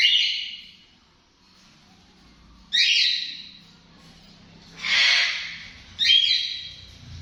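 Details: Sun conure uttering harsh, raspy high screeches in short bursts, four calls over about seven seconds with quiet gaps between them.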